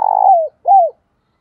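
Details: Tail of a spotted dove lure bird's 'giọng đồng pha' phrase: a rough, rolling coo easing downward, then one smooth arched coo, followed by quiet.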